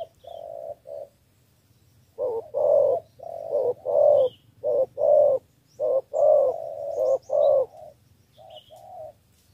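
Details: Spotted dove from Cà Mau, Vietnam, calling in a three-note style used to lure wild field doves: loud, low, hollow coos in a steady run of paired and grouped notes about a second apart, with a faint high chirp now and then.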